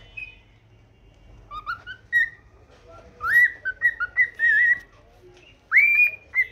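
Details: Morning song of a pet cockatiel: short pure whistles, some sliding upward, others wavering, given in a run of several notes with a pause and a last long rising whistle.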